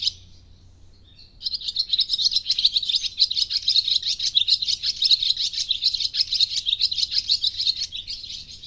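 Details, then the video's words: Swallow chattering nonstop after a short pause, a rapid, scratchy, high-pitched twitter with fast pulsing notes running for about seven seconds above a faint low hum. "Swallow Chattering"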